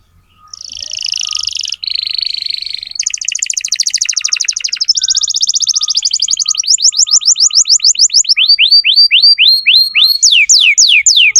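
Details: Tutoring song of a canary for young birds: a sequence of fast buzzy trills at varying pitch, building into rows of repeated falling whistled sweeps, loud and continuous.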